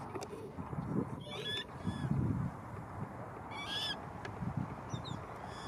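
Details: A baby coot in Malibu gives thin, high peeping calls in a few short bursts over a steady low rumble of wind or background noise.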